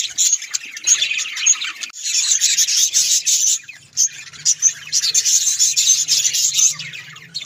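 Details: Budgerigars kept as pets chatter in a continuous high, scratchy warble, with bright chirps scattered through and a faint low hum underneath.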